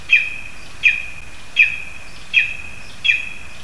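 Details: Zemgale, Latvia: lesser spotted eagle in a spruce with a frog for the young, giving five bright, piercing yelps at an even pace of roughly 0.75 seconds, a quiet hum behind.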